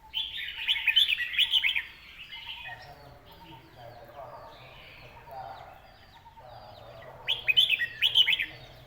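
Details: Red-whiskered bulbul song in a Thai competition style called a cool-breeze phrasing: two bursts of bright, bubbly warbled notes, the first for about two seconds, then a quieter mix of murmured background sounds, then another lively burst near the end.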